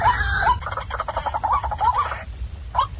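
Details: Waterhen call used at night to lure birds for trapping: a few rising upslurred notes and a fast rattling burst of pulses, with a constant low rumble underneath.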